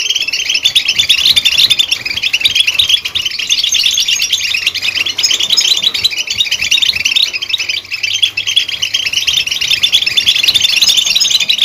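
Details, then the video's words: Continuous high goldfinch twittering, many quick chirps and tinkling trills run together with no pauses, at a steady, fairly loud level. "Chirps And Sounds Of Goldfinch"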